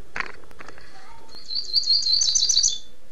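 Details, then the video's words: Rusty-collared seedeater (coleiro) in Niterói, Rio de Janeiro: a few soft clicks and a low note, then a fast, high, bubbling warbled phrase of tumbling notes over a second long. "COLEIRO TIRANO"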